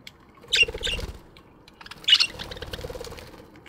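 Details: Morning in a budgerigar aviary, two bursts of sharp chirps about a second and a half apart, each followed by a soft fluttering patter like wingbeats or scratching.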